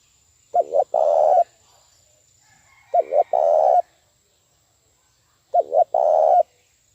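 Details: Spotted dove lure call for trapping: three identical phrases, each two short clipped notes then a sustained rolling coo, spaced about two and a half seconds apart, with a faint steady high tone.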